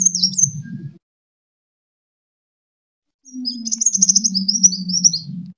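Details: Sunbird fighting song, used as a lure for training birds. A brief high twitter is followed by a silent pause, then a run of thin, rapid, slightly rising and falling squeaky notes over a low hum.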